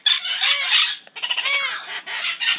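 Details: Young monk parakeets (Quakers), among other baby parrots, after their morning breakfast feeding give harsh, raspy squawks in quick overlapping bursts, a noisy chattering chorus with several birds calling at once.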